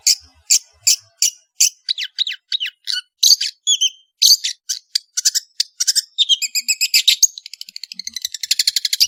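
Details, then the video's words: Varied, energetic song of a long-tailed shrike (cendet). Rapid chirps lead into sweeping whistled slurs and dense trilled passages that speed up toward the end. "BURUNG CENDET GACOR"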